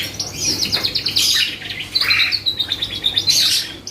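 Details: Canary singing as a lure to spark responses from other birds: rapid rolling trills and chirps, a sustained high whistled note, and quick repeated phrases throughout.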